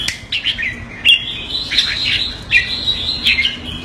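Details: Caged red-whiskered bulbul in Singapore giving calls on command: short, slurred, whistled chirps separated by brief pauses, a few harsher notes mixed in, over a quiet background hum.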